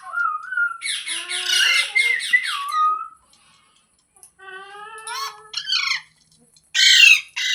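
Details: Pet green parrot calling in a quiet room: a long wavering whistle over a harsh squawk, then a pause, a series of stepped whistled notes and a final loud rasping screech.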